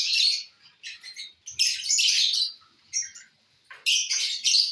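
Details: Lovebirds feeding on corn (bhutta) make loud, harsh, broadband squawks and chattering in uneven bursts, some long and grating, with brief quiet gaps between.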